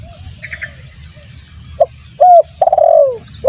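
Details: Spotted dove lure call for attracting birds: a short hooked note then a long, vibrating coo sliding downward, over faint chirps and a low rumble.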